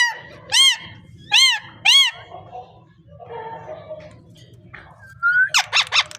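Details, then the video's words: Parrot calling: three loud arched, harmonic notes about every half second, a quieter murmured stretch, then a sliding whistle and a rapid burst of sharp squawky notes. "Amazing parrot voice talking sound parrot"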